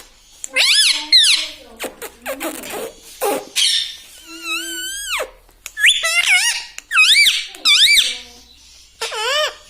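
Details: Parrot kept as a pet, talking in a small room: many short swooping harmonic syllables in quick phrases with brief gaps, plus a few clicks and noisy breaths.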